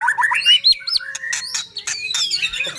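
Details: White-rumped shama singing, used as a lure to provoke other shamas into singing: fast varied phrases of whistles and sweeping notes, dense rich notes, with quick chattering bursts.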